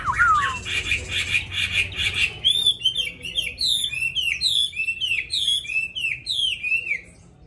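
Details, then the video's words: Caged Hwamei singing a pure wild-forest style song, quick to sing once hung out: a buzzy trilled phrase opens, then a run of about ten loud, slurred, downward-sweeping whistled notes repeated roughly every half second, with faint background noise. "họa mi thuần giọng rừng hay cực mau mỏ hót suốt móc ra là hót"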